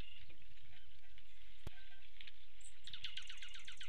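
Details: A wintering flock of dark-eyed juncos feeding on suet and seeds at West Texas feeders, 10 February 2020, give soft, scattered chips, then a quick run of high ticking notes, over a low background rumble.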